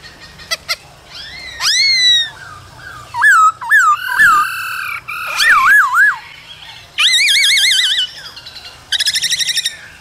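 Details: Male laughingthrush singing and dancing in the cold season, with female calls to excite new birds: varied song of rising whistles, looping warbled phrases and bursts of quick pulsed notes, separated by short gaps.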